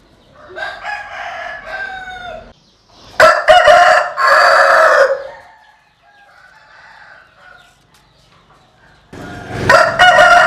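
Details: Roosters crowing loudly and close: a drawn-out crow, then two strong overlapping crows, a soft distant one, and another loud crow at the end, with near silence between.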